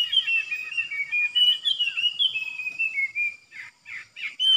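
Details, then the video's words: Streak-eared bulbul kept as a new decoy bird, recorded 06/05/2022, in full song: bright whistled and chattering notes sliding up and down, followed by a series of short, rapid, bubbly bursts, with no other sounds present. "เสียงนกดอกแตงEp.106นกต่อใหม่ เจ้าขันเงิน เปิดดอกล้วนๆ Birds sounds suara merbah lekir"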